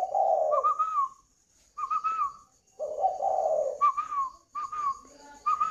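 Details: Caged spotted dove from Ba Vì, Hanoi, Vietnam, repeating its cooing song: low husky hoots alternating with short clear whistled notes, in several phrases with brief pauses between them.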